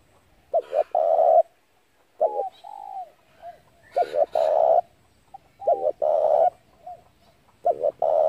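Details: Spotted dove calls used as a trap lure: repeated phrases of two short coos and a sustained loud coo, about seventeen a minute. Softer arched coos come in between.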